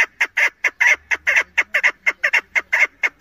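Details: Female chukar partridge used for hunting, giving a fast series of harsh, clucking chuk notes, about two per second, with uneven spacing and some notes doubled, in a steady loud run with no other clear sounds.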